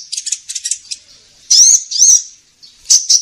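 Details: Sunbird known locally as kolibri ninja, lure sound for trapping: a few quick thin ticking notes, then two loud sharp rising-falling squeaky chirps and a final paired chirp.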